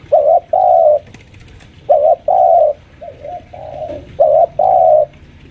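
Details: Home-kept spotted dove lure bird, senior at about five years, pressing a rival: loud low coo pairs of short then long notes, with a softer, quieter double coo in the middle.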